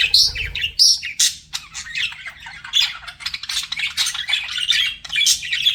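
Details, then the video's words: Budgerigars flirting: harsh squawks and high whistled chirps at the start, then busy warbling chatter and clicking notes repeated rapidly to the end, from pet birds calling together. "BUDGIES FLIRTING"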